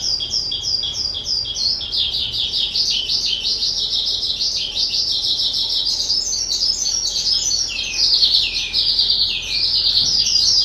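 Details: Kept skylark aged two, recorded 18 April 2023, pouring out a long, loud, rapid warble of high buzzy and twittered syllables that steps slightly higher near the end.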